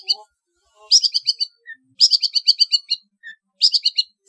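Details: Long-tailed shrike in trotol style, training recording for competition birds: three clipped bursts of rapid, high, rattling notes, each lasting about half a second, separated by short quiet gaps.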